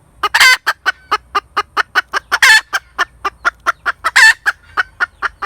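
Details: A hen chicken cackles without pause. Quick, regular clucks are punctuated by three drawn-out, rasping squawks spread through the sequence.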